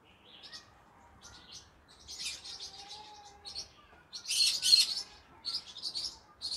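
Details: Pet green-cheeked conure parrot heard in the evening, giving rapid grating chirps in uneven groups that build to louder harsh squeals, with a faint low tone in the background.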